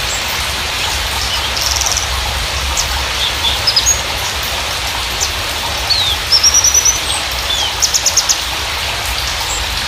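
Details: Javan bushlark of the parva form, recorded as a lure for young or silent birds. Brief high thin trills and rapid chirp bursts come in scattered phrases over a constant loud hiss like rain.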